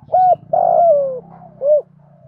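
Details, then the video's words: Captive-training spotted dove coo, played to get kept doves cooing: a brief rounded note, a long smooth coo gliding down, and a closing arched note, over a low steady hum. "cu gáy giọng thổ THÚC GÙ giọng hay hạp bổi nhanh nổi nhất, tiếng gáy giúp bổi nhanh gáy và nổi lẹ"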